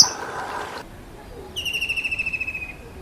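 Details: Kingfisher calling after a burst of noise: a clear rattling trill of rapid pulses that slowly slides downward and lasts about a second and a half.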